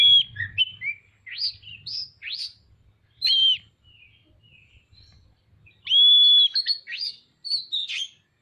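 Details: A singing Oriental magpie-robin, tail open, delivers a medley of short rising sweeps, chirps and warbled notes. One long even whistle comes near the end, followed by more quick phrases. A light low hum is heard.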